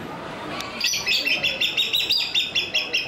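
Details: Crowned hornbill at Ueno Zoo, Tokyo, piping a quick run of high, whistled notes, about four each second, with a faint murmur of voices behind.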